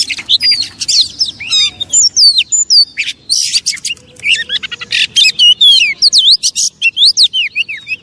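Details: Provoking song of an Oriental magpie-robin, aimed at making other magpie-robins agitated: loud, rapid medley of rising and falling whistles, harsh buzzy bursts and trilled phrases, nearly continuous over eight seconds.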